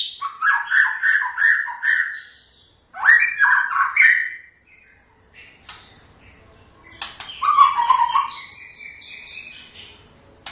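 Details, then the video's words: Varied song of a white-rumped shama: a rapid run of rising whistled notes, then rough buzzy and chattering phrases, a pause, and a final burst of warbling whistles. "Kicauan khas Murai Batu"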